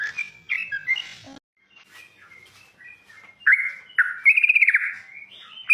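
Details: Yellow-vented bulbul in the wild singing loudly: a few bubbly whistles, a quiet gap, then strong liquid phrases ending in a quick rattling trill.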